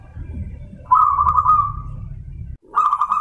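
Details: A crossbred zebra dove, a hybrid of Bangkok and local wild zebra doves, gives a soft, rolling, trilled coo lasting about a second, then starts another after a brief pause, over a low background rumble.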